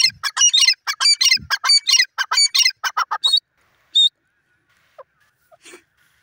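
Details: Grey francolin, called desi teetar, giving a run of loud, grating, repeated notes in rapid bursts for about three seconds. The calling stops, followed by a few isolated faint clicks and quiet sounds.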